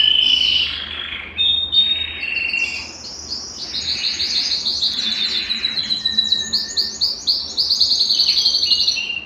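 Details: Belgian canary song meant to stimulate males and bring females into breeding condition: a whistled opening, wavering notes, then rising sequences of quick high chirps that merge into rhythmic rolling trills.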